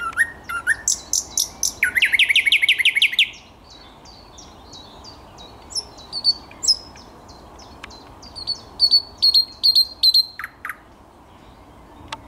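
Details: Thrush nightingale song from 10 May 2021: fast whistles and a loud rattling series, then a quiet gap before sharp clicking notes and high piping phrases resume in quick succession.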